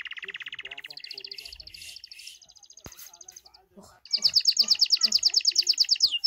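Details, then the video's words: Hand-tame goldfinch singing: a lower buzzy trill shifts into higher twittering trills, pauses briefly with a click, then bursts into a loud, rapid, metallic trill of repeated notes. "goldfinch singing and full hand tame"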